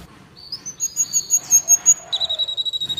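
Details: Van Hasselt's sunbird song meant for training captive birds and luring wild ones. Thin, high, sustained whistled tones lead into a fast, even, buzzy trill at the end.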